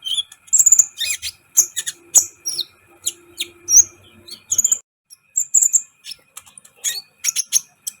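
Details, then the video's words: Sunbird in full song, recorded to excite other birds in training: rapid high chittering bursts and thin whistles in quick succession, with a short pause midway and a faint low hum underneath. "Masteran KOLIBRI ninja gacor , agar CEPAT EMOSI"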